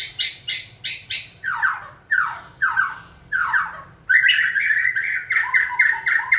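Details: White-rumped shama being trained to sing on cue; sharp high clicking bursts give way to descending harsh slurred notes repeated about every half second, ending in a fast buzzy chattering run.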